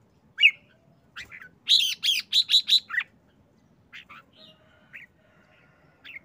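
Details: Excited caged red-whiskered bulbul giving a short song with "rik rik rik" calls: a whistled note, then a fast series of five or six harsh chattering notes around two seconds, followed by scattered softer whistled notes.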